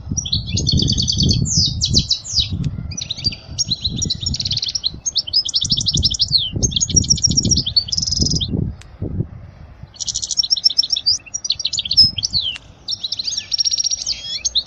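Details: European goldfinch song for tutoring young birds: repeated phrases of fast, tinkling twitters and buzzy trills separated by short gaps, over low rumbling background noise.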